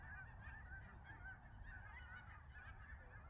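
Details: A flock of cackling geese arriving in waves to land at Nisqually National Wildlife Refuge in February 2023 keeps up a dense, continuous chatter of high, yelping honks over a low rumble; other geese possibly present.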